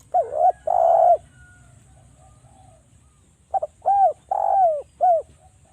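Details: Spotted dove of Java used as a calling lure: an opening dipping note and a long coo, quiet, then a clipped note and three arched coos, the middle one long and descending.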